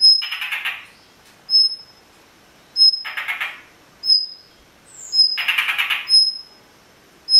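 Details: Blue rock thrush parent scolding people who approach its freshly hatched chicks, with sharp, high ticking notes between harsh, raspy bursts about every two to three seconds.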